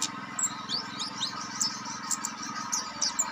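An orange-headed thrush gives a rapid, scattered run of thin high chirps and short whistled slurs, over a faint steady low hum.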